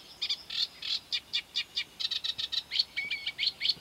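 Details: Eurasian reed warbler (Acrocephalus scirpaceus) by the Doubrava river, Czechia, on 12 July, gives a steady run of harsh, grating chirrs, about five a second, some doubled, with quiet background and no other birds.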